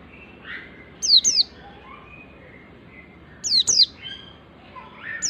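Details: Oriental white-eye wild song used to lure other white-eyes: paired high, downward-swept whistles repeated about every two and a half seconds, with soft background chirps.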